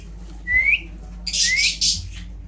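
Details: Talking pet Indian ringneck parrot producing an upward-gliding whistle, then a second similar rising whistle overlaid by a harsh, broad burst of noise, in an indoor setting.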